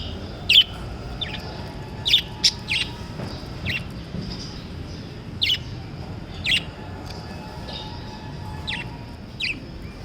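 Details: Lovebirds giving sharp, high chirps spaced irregularly, one to two seconds apart, sometimes in quick pairs, against a constant low hum.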